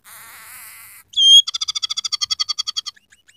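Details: Scaly-breasted munia singing in a chatty style stuffed with rough canary phrases: a steady buzzy drone, then a loud clear whistle and a quick run of around fifteen sharp, evenly spaced chips that fades out.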